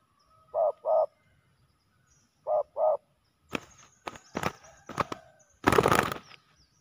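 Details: Male spotted dove during a fierce fight at a ground decoy: two pairs of soft, low coos, each pair doubled, followed by loud thumps, scuffling and flapping noises from the struggle.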